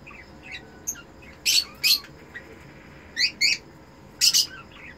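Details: Cockatiel breeder pair, red-eyed, during mating: loud harsh chirps and squawks in clusters of two, one near second 1.5, another pair around second 3.3, a final burst near the end, with faint softer notes between; quiet indoor background.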